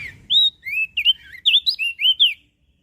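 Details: Mountain leaf warbler singing a rapid phrase of high, sweet whistles: long sliding notes followed by shorter looping ones, about ten in two seconds, clean and loud with little background.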